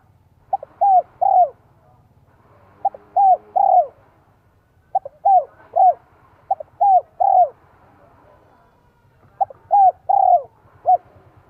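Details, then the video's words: Spotted dove decoy bird with a Vietnamese 'son 1 cốt' voice, used to lure wild doves: about five three-part coo phrases, each a short note followed by two longer mellow falling coos, over a faint low hum. "CHIM CU GÁY GIỌNG SON 1 CỐT LỠ KÍCH BỔI NHANH NỔI HIỆU QUẢ NHẤT."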